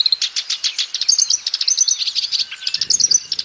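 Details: Black-browed reed warbler singing actively in the wild: a fast string of sharp, high chattering notes, about eight a second, with short whistled accents, briefly joined by a low rustle near the end.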